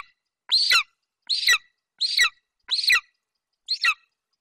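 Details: Juvenile male golden eagle on a Bucovina nest, 27 July 2021, calling over a Eurasian hare brought by his mother. Five softer, raspy, high squeals come at uneven intervals, nearly a second apart.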